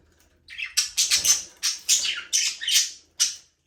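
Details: Budgerigars, Australian parrots, in a small aviary, flying free and playing, give a burst of harsh, buzzy chirps and squawks in quick overlapping phrases, about eight loud notes in three seconds, with no music or other sounds.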